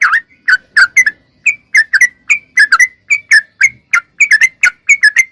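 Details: Sooty-headed bulbul in lively song, used as tutor audio for young cage birds: short liquid whistled notes dipping and rising, often paired or tripled, in a continuous irregular stream.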